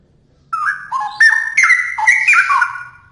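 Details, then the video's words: Straw-headed bulbul in vigorous song: one bubbling, melodious phrase of rapid, loud whistled notes that alternate between low and high pitches, tapering off over the last half second. "Cucak Rowo Gacor"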